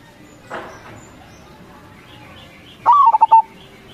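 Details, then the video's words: Local zebra dove singing as a lure to draw replies from other doves: a soft rustling burst early, then after a pause one clear cooing phrase, a sliding first note then three quick pulsed coos ending in a steady tone. "Suara Perkutut CROSSING GACOR SUPER"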